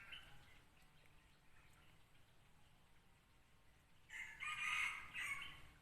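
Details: Red junglefowl decoy rooster used to lure wild junglefowl gives a single loud, hoarse, multi-part crow near the end. It follows several seconds of quiet rural background with faint distant bird sounds.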